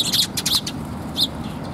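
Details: Sparrows coming to be fed at a Tenmangu shrine on 8 October 2021: a few short, sharp high chirps in two quick bursts and then a single later note, over a low steady background hum.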